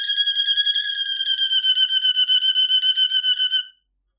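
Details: Malinois Waterslager canary in training song, holding one steady rolled tour of fast, evenly pulsed whistled notes for over three seconds before stopping abruptly.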